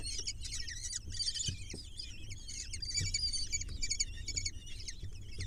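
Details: Begging chorus of six kestrel nestlings at feeding time, with sharp, high, rapidly repeated chittering calls that rise and fall in overlapping bursts. A low rumble and a few soft knocks sit beneath.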